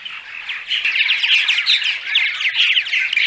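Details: Purple martins giving daytime chatter, dense overlapping gurgling chirps and squawky notes that swell in loudness after the first half-second and then run on without pause.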